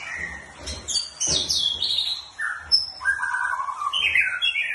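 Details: Morning bird chirping in a busy, irregular series. Sharp high tweets and squeaky phrases alternate with lower, buzzy slurred notes. Brief pauses separate the bursts.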